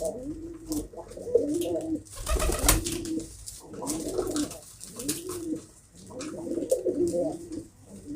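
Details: Pigeons cooing in low rounded phrases, repeated every second or so, with a loud burst of rustling or wing noise midway through.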